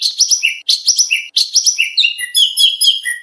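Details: Contest-training song of an oriental magpie-robin: a high chattering motif repeated three times, about two per second. Softer warbled whistles come after.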